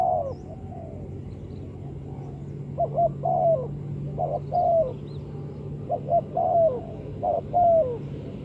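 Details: Spotted dove coos, used as a trapping lure, run through several phrases: clipped double coos, each followed by a longer descending croo, fairly soft against a steady low-pitched hum.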